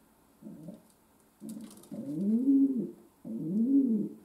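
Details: Domestic pigeon kept as a pet, calling indoors: a soft opening coo, then two fuller, louder rolling coos that rise and fall, with a light rustle and a steady background hum.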